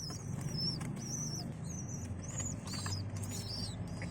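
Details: Baby pigeons begging while being fed by adult pigeons: thin, high squeaky peeps with slightly arching pitch, repeated in quick succession over a steady low rumble.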